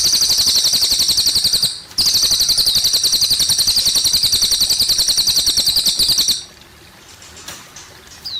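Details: Cililin trilling rapidly in high shimmering pulses, a brief break near two seconds, then more trill until about six seconds, followed by quiet flowing water and a faint whistle.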